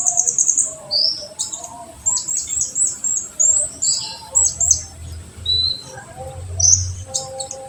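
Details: Olive-backed sunbird song of the 'tembakan' style for stimulating untrained birds: scattered very high chips and short downslurred whistles, irregularly spaced, over light low hum.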